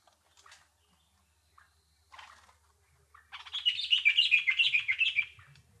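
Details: Nightingale singing: a few faint scattered chirps, then a loud, rich burst of rapid, warbling, high notes that rise and fall for about two seconds. The background is otherwise quiet.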